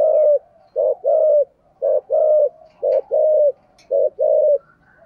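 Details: A spotted dove with a 'thổ' type voice, cooing: soft, low coos, a short note followed by a longer rolling one, repeated steadily.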